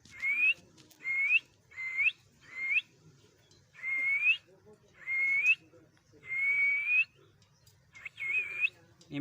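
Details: Pet talking parrot giving a series of eight clear whistled notes, each rising at the end, repeated about once a second, with a person's voice heard around it indoors.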